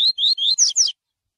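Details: Tui tui song of a coleiro, the style used to train birds for tournaments: three rising whistled 'tui' notes in quick succession, then two higher, sharper slurred notes that fall away.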